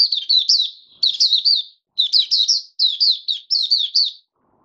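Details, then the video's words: Oriental white-eye kept in captivity, fifth day after monthly deworming, delivering its opening song: five clean bursts of fast, high, warbling slurred notes about one second apart, with silence between them. "Mata Puteh Raja Video 1 buka sing"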